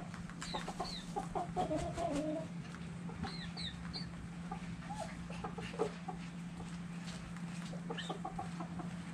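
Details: Chickens and roosters dirt bathing, giving soft low clucks in short irregular bursts, some clustered and overlapping, with scratchy clicks and rustling in the dirt, a few high thin chirps above, and a steady low hum throughout.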